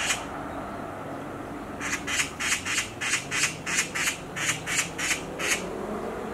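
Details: Black magpie screaming from a tree branch: after a brief quiet start, about thirteen grating, harsh notes follow in a fairly even rhythm, roughly three per second.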